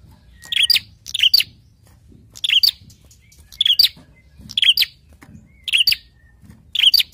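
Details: A prinia, agitated and answering a played prinia recording, gives sharp, snapping high chirps in short bursts, about one every second, seven in a row, over a faint low rumble.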